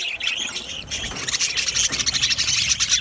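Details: Aviary budgie colony, Australian parakeets, giving rapid overlapping chirps and tweets, quick high notes repeated in an uneven stream over constant group chatter.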